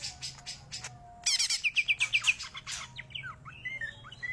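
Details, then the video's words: Greater green leafbird, beginning with scattered chips, then a quick series of about six loud ringing notes, followed by a loose string of sweet slurred whistles dropping and rising. "Cicak Ijo Gacor Tenan"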